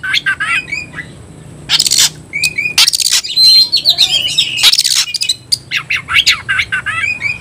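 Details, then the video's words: Oriental magpie-robin calling a rival to fight with short whistled notes alternating with loud broadband rasping bursts, followed by a rapid sequence of sharp chirps. "Teriakan KACER panggil lawan tarung"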